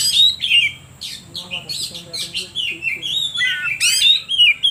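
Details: Oriental magpie-robin song played to stir other birds: loud clear whistles and downslurred notes, some lower harsh chatter, then sharp high sweeping notes and drawn-out whistles.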